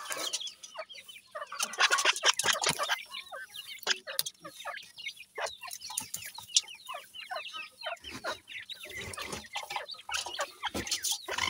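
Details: Dakhni teetar (partridge) chicks playing and bouncing around; a dense stream of thin, rapid chirps from several chicks, broken by frequent dry clicks and scratching taps.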